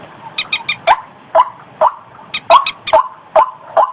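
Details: Quieter stretch of a white-breasted waterhen lure call used in paddies and streams: irregular hoarse croaks and short groups of high, sharp clicks over a soft hiss.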